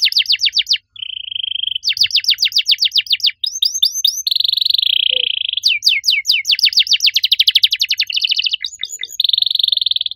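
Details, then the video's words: Loud canary singing with a unique cengkok style, alternating rapid rolls of downward-sweeping notes with steady buzzing trills at a constant pitch and short chattering phrases. A faint low background hum is heard. "Kenari gacor suara nyaring cengkok unik"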